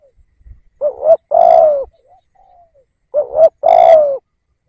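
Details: Cooing of a decoy spotted dove kept to lure wild birds: two phrases, each a brief wavering double coo leading into a longer smooth coo that drops in pitch, with a faint soft note between them.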